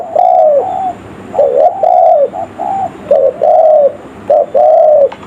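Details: Spotted dove cooing, used as a lure for wild birds: low, hollow coos in paired phrases, a short note followed by a longer drawn-out arched coo, repeated roughly every second, over a faint background hiss.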